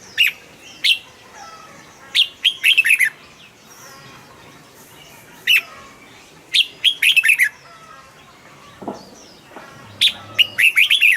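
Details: Caged red-whiskered bulbul, recorded to make other bulbuls eager to sing: sharp single notes followed by quick, bubbling, warbled phrases, repeated in four bursts separated by short quiet gaps.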